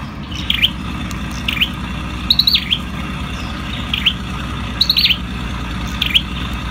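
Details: Ashy tailorbird singing: short, high, sharp bursts of two or three clipped notes repeated roughly every second, some phrases doubled, over a steady low background rumble.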